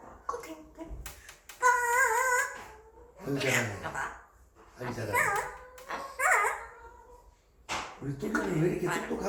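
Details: Male African grey parrot, aged five, kept indoors as a pet, imitating English: a run of high, strongly harmonic voiced phrases with wavering pitch, several bursts over nine seconds, interspersed with sharp clicks.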